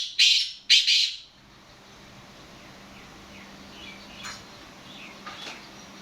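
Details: Black francolin calling: two loud, scratchy, rasping notes open the sequence, followed by several seconds of soft, faint distant calls and steady low background hum.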